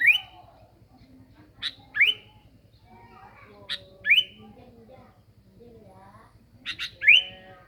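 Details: Sooty-headed bulbul singing actively, used as a lure: short, bright whistled phrases with a sharp upward flick, in three bursts roughly every two to three seconds, over soft, low murmuring voices in the background.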